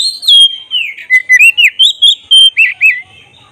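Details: Oriental magpie-robin, black-breasted form, singing as a lure to trigger agitation and tail-spreading. A long descending whistle leads into evenly spaced, loud, looping whistled notes of about a third of a second each.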